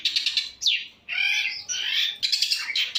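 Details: Long-tailed shrike's full-variation song captured on a phone: a downslurred whistle, then rasping harmonic buzzes and quick high chirps in a busy, varied sequence.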